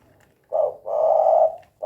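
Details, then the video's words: Spotted dove giving 'kuk 2' style coos, called gacor: a short low hoarse note, then a long steady throaty coo, with the next note starting at the end. "SUARA BURUNG TEKUKUR KUK 2 GACOR"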